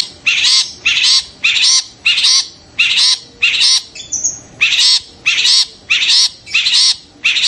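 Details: Long-tailed shrike giving a call said to make other shrikes excited and singing immediately: harsh, rasping squawks repeated about every 0.6 seconds, with a brief thin whistle near the middle.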